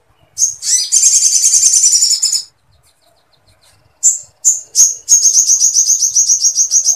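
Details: Sooty-headed bulbul in full song with long bursts of woodpecker-like material, used to tutor other birds: a long, buzzy, high trill, silence, then three sharp chips leading into another steady rattling trill.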